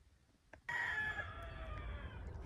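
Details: Rooster crowing at wake-up on a frosty morning: one long, loud, harmonic crow that starts suddenly and holds steady for almost two seconds, tailing off gently, with faint low background rumble.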